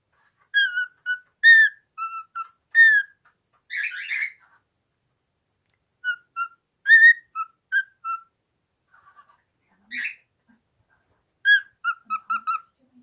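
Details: A pet cockatiel that loves its owner's phone gives short bursts of clear, tuneful whistles, broken by a few harsher, scratchy chirps.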